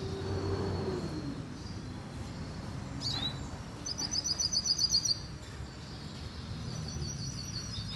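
Hooded siskin gives a brief, rapid burst of high, thin twittering notes lasting about a second, over steady background hiss and low rumble.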